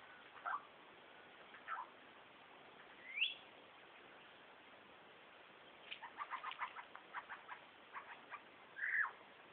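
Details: Male superb lyrebird hidden behind bushes, running through a mimicked repertoire that includes laser gun, kookaburra, whipbird, whistler and magpie sounds: scattered slurred notes, then a burst of short rapid pulses and a final falling slur, separated by quiet gaps.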